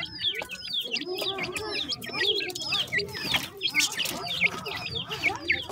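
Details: Several dakhni teetar chicks, a kind of francolin, give sharp, high chirps that slide downward, repeated in quick irregular bursts, overlapping one another throughout.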